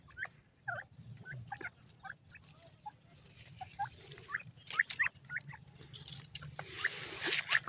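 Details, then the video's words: Grey francolin, or Indian teetar partridge, with short upslurred call notes in loose series, then rising hissy noise toward the end, over a low background hum. "indian teetar madi ke awaz"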